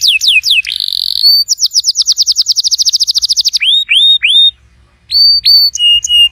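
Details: Canary song meant to start a silent canary singing: quick downslurred whistles, a brief buzz, then a long rapid trill of clipped notes, followed by slower rising whistles and a short pause before further phrases.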